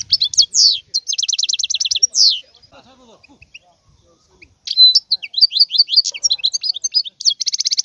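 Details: Wild European goldfinch song with rapid repeated trills of ringing notes, a quiet gap with soft distant twitters, then bright chattering phrases ending in a buzzy trill.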